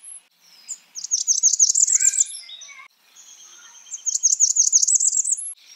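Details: Two rapid series of very high, thin, repeated notes from a calling Blackburnian warbler. Between them come scattered lower chirps and a long high steady tone.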